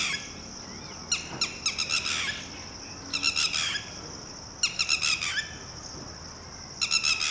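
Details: Red-wattled lapwing parent with a newly hatched chick, whose calls tell the chick to duck and hide, gives harsh, high, rapid alarm notes in four bursts about two seconds apart over a thin insect-like hiss; India.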